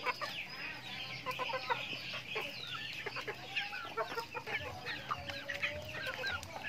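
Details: Feeding chickens on a backyard farm: overlapping shrill peeps and chirps, scattered pecking clicks, and a few lower drawn-out calls in the flock.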